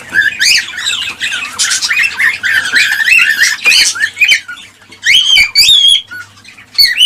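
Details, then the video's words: Cockatiels played to stimulate breeding and egg production: dense, loud chattering of harsh squawks and rising whistled chirps, with several birds calling over one another and brief pauses near the end. "حفز طيور الكالوبسيت(الكوكتيل) على التزاوج والإنتاج بهذا الصوت القوي"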